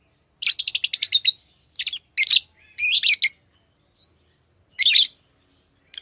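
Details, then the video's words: Tame pet lovebirds chirping: a quick run of about nine sharp, shrill chirps at the start, followed by several harsh, scratchy bursts spread over the rest of the clip. "Love birds Sounds | lovebirds chirping sounds"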